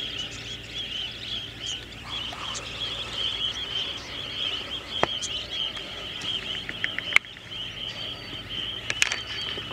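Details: Budgerigar (Melopsittacus undulatus) flock swirling in 'tornadoes' at Alice Springs Sewage Ponds, with a few cockatiels among them, keeps up dense, continuous twittering chatter of high, scratchy notes, broken by a few sharp clicks and knocks.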